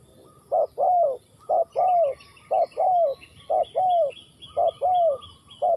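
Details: Ninh Thuận spotted dove repeating a two-part coo, short then long and gently falling, about once a second, while thin high chirps from other small birds run in the background.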